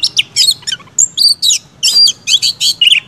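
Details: Energetic Oriental magpie-robin song aimed at triggering other magpie-robins: high rapid chattering bursts about once per second, mixed with sharp whistled upslurs and downslurs, all in a high register with low background hum.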